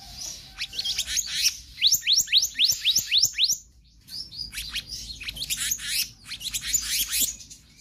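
Black-naped Monarch giving a fast run of sharp, high, sweeping whistles, about four a second, then a brief pause before more varied chattering notes.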